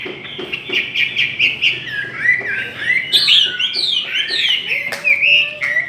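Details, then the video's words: Chinese hwamei in a singing contest, a fast run of repeated clipped notes building into loud looping whistles, ending with a long, gently rising low whistle. "Chim họa mi hót đấu"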